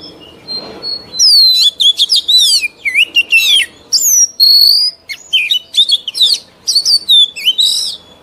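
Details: Oriental magpie-robin, a mature wild-caught bird, singing for the training of young birds: a quiet start, then an energetic stream of varied whistles, trills and sharp slurred notes, with short pauses between phrases.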